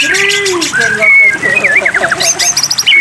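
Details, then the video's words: White-rumped shama song used as a water-therapy training track to coax birds into singing: a low curved whistle, then clear rising and falling whistled notes and quick downward-slurred phrases, with thin high notes near the end. "terapi air murai batu makin tambah gacor"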